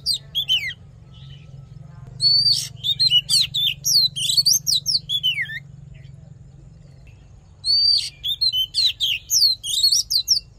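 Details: Oriental magpie-robin fighting song, played to stir a male and train its voice: a few sharp notes, a pause, then a long rapid series of steep, twisting whistles, a pause and another vigorous burst.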